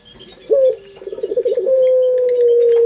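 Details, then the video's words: Local puter pelung dove song for luring birds: after a quiet start, an abrupt bright coo, a pulsing rolled stretch, then a long smooth level coo held to the end, faint small-bird chirps behind. "Pancingan Suara Burung Puter pelung paling dicari bersuara merdu"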